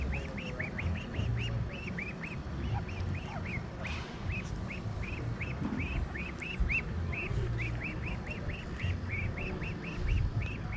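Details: Muscovy ducks trade short, high chirping calls, about three or four a second, as an injured duckling returned to a marina is reunited with her mother, over low wind or engine rumble with a man talking.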